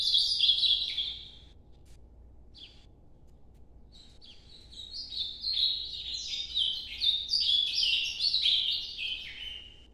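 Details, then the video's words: Short warbled burst from an ultramarine grosbeak, scattered faint notes during a quiet spell, then a long, bright Nordeste-style noturno phrase of rapid, stepping high notes. "Canto Nordeste Azulão Noturno"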